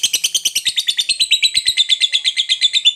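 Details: Long ngekek trill of a fighter lovebird, a tight, regular chatter of sharp high notes repeated several times a second, running unbroken for three seconds.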